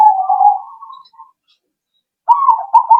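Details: Zebra dove (perkutut) calling, played as a lure to make other doves answer. A low, rolling coo phrase fades out, and after a pause of about a second a second bubbly coo sequence of quick stuttered notes begins.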